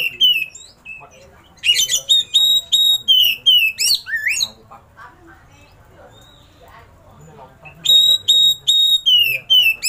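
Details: Oriental magpie-robin delivering a lavish fill-in (isian) song with rolling bursts while opening its tail: clear whistled notes and sharp upward sweeps in rapid series, a quieter murmuring gap midway, then loud repeated whistles returning.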